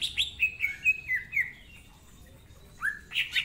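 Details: Greater green leafbird song, a busy tutor bird's performance: quick downward-slurred whistled notes at about two per second, a brief pause, then sharp upward chips resume.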